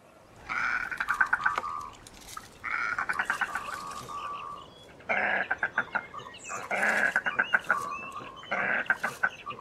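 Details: Goosander, a large diving duck breeding throughout Finland; series of harsh croaking, rattling phrases in bursts of one to two seconds, with rapid clicking pulses between them.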